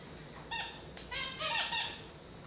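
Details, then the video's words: Gouldian finch calls: a few short nasal notes with stacked harmonics and small downward bends, given in two close bursts within about two seconds, indoors. "Gouldian finch birds"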